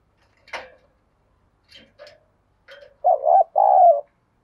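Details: Spotted dove used as a decoy to lure and provoke wild doves: after a few faint scratchy noises, two loud low hollow coos near the end, the second longer and steady.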